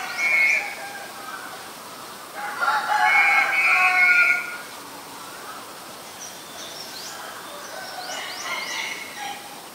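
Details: A Black-collared starling in Ubon Ratchathani, Thailand, 10 February 2023. It makes a loud, harsh, rasping outburst lasting about two seconds, with a brief squawk at the start. Small birds twitter faintly with quick upward-sweeping chirps.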